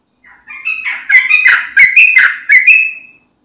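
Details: Sooty-headed bulbul in prolific, gacor singing, played as a lure so untrained bulbuls answer: a burst of bubbly, slurred notes around mid pitch, rising into quick chattering phrases and ending on a drawn-out whistle.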